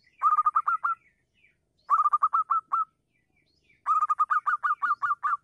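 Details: Local zebra dove singing loudly in the morning, used as a lure to call other doves: three bursts of rapid, evenly spaced, rising cooing notes, six to twelve per burst, with short pauses between bursts.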